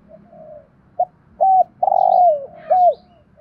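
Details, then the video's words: Spotted dove, recorded for training decoy birds to coo: soft drawn-out notes, a short note, an arched coo, a long hoarse falling coo, and a closing arched coo, with faint high chirps of other birds. "chim cu gáy giọng hay, mở nghe giải trí, dùng tập mồi gáy theo"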